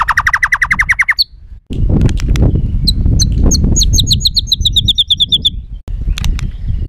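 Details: White-rumped shama in an emotional, rough song for provoking birds: a fast run of repeated buzzy notes, a pause with low noise, then a rapid series of sharp high chips.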